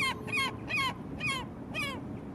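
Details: Gull giving five clear, nasal, downslurred calls, each a short harmonic yelp falling in pitch, spaced about every half second, over a low steady background rumble.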